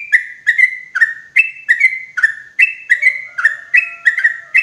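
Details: Clear, loud sooty-headed bulbul call played to lure bulbuls into traps in forest: steady repeated pairs of mellow, bubbling notes, with a faint steady whistle tone joining in the second half.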